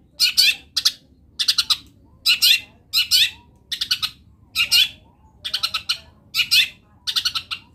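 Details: Energetic Long-tailed shrike song packed with wild-bird mimicry: harsh chattering bursts of two to four rapid notes, repeated steadily about every half second to second throughout.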